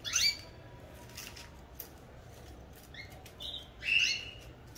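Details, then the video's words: Caged domestic canaries kept in pairs for breeding utter brief bright chirps and a sharp downslurred whistle, with long quiet gaps between notes and faint tapping and fluttering in the cage. "Meus canários cantando a todo vapor"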